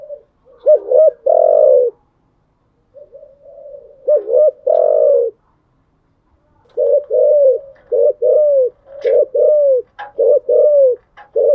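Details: Morning cooing of a kept spotted dove: paired loud, hollow coos with a slight downward bend, a pause, then a rapid run of about seven clipped coos, each falling slightly at its end.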